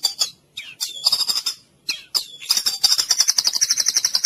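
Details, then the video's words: Therapy sound for a mute, sluggish white-rumped shama: short scratchy chattering bursts separated by gaps, building into a fast, continuous trill of high piercing notes. "Musik terapi untuk murai bisu dan loyo"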